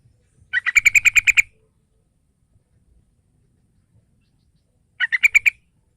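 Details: Young captive yellow-vented bulbul lure: two bursts of rapid, evenly spaced chattering notes, about eight quick bright pulses in the first burst and six in the second, separated by four seconds of near silence.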